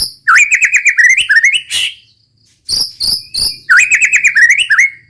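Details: White-rumped shama (murai batu) in full roll tembak song: loud, rapid rolling warbles of rippling whistled notes, a brief pause, crisp chip notes, then another fast rolling whistled phrase.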